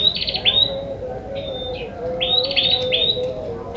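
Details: Ashy tailorbird recorded in the wild and used as a trapping lure: loud, clear notes near the top of its range, some buzzy-trilled and some clean whistled, given in quick bursts with short gaps. A steady low hum runs underneath.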